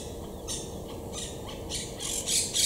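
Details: Wild monk parakeets high in trees at Estepona, southern Spain, October 2021, courting and building communal nests: harsh, grating squawks about twice a second, growing louder and more crowded toward the end, over a faint steady hum.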